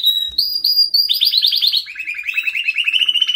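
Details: A white canary sings a few high whistled notes, then breaks into a rapid rolling trill that steps down in pitch and continues as a quick, even chatter; quiet indoor background.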